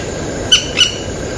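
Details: A Yellow-rumped cacique (Cacicus cela) on Comandatuba Island, Bahia, Brazil, 12 Oct 2013, gives two brief, harsh, clipped notes about a third of a second apart, with a faint steady hiss behind.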